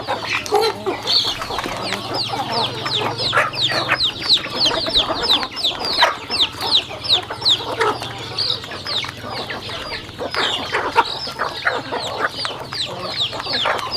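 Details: Chickens at a farm while eating: rapid, thin peeps pour out nearly three per second, each sliding downward, the chorus rising and falling in loudness over a low hum.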